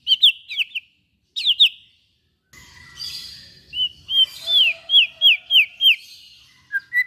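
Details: White-rumped shama song used to stimulate other shamas to sing: bursts of loud, clear, downslurred whistles repeated in quick runs, with a short pause and a faint low rumble mid-phrase.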